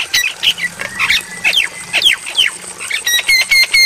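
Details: Javan myna song from a night-time training recording: harsh chattering notes and several falling whistled slurs, then quick, bright, clipped repeated notes at the end over a faint steady hiss.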